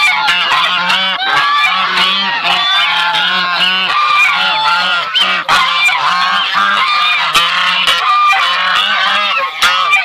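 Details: Brown Chinese goose together with its goslings; dense chorus of harsh, nasal honks repeated rapidly and overlapping, rich in harmonics, with brief sharp clicks or knocks scattered through.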